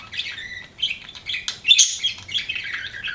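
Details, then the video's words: Pet budgerigar giving a short run of scratchy chirps and a few high squeaky notes, softer at first and then louder. "BUDGIE CHIRPING SOUNDS"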